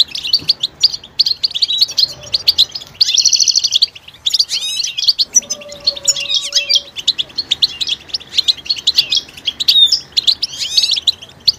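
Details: Mating-readiness calls of European goldfinches, used to rouse silent males into song: rapid high twitters and a buzzy trill near the three-second mark, liquid chirps, and a faint low hum in the middle.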